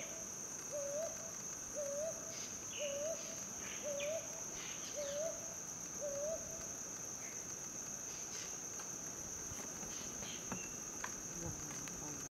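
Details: A Brown hawk-owl calls from the top of a tree: six soft, rising 'hoo-up' notes about one second apart, over a steady high insect drone.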